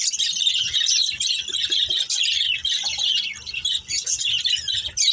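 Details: Several budgerigars, a family of pet birds playing, keep up a dense, continuous chirping chatter of high warbles and squeaks, with brief rough squawks breaking through near the end.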